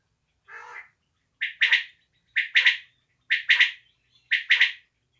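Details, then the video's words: Desi quail giving a soft buzzy opening note followed by four crisp, clipped two-to-three-part calls spaced about a second apart, with nothing else audible. "desi batair ki new awaz"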